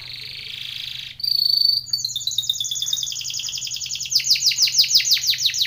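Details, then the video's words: Timbrado canary in a training song: a buzzy opening, a bright sustained whistle, then a long series of rapid repeated notes that speed into loud rhythmic pulses. "TIMBRADO canary singing / canto Canario cantando / canary training song"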